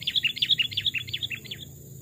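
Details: Wild-caught caged Sooty-headed bulbuls, small and large types aged two and three years, singing in a forest: a rapid chattering string of around a dozen sharp chirps that trails off.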